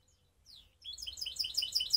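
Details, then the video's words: Skopje canary hybrid opening its song with a soft falling slur, then bursting into a loud, fast series of bright chirping notes that climb in volume over about a second. "Canary mixed best song"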